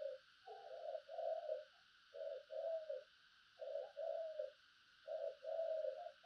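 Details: Spotted dove decoy repeating a two-part mellow coo phrase about every one and a half seconds, four times, with a constant hiss behind.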